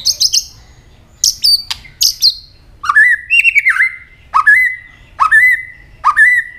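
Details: White-rumped shama singing fighting song: high clicky bursts open, then a repeated phrase of an upward flick into a level whistle, given about once a second, several times over.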